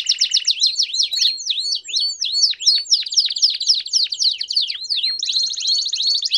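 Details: Canary song with piados, campainha style, for training young canaries: a brief low trill, then a run of sharply swept descending notes about four per second, ending in a ringing high trill.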